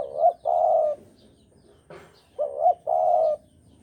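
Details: Spotted dove, Javan type, recorded as a lure for trapping: two close cooing phrases, each a short rising note and a longer level coo, with a soft click between them.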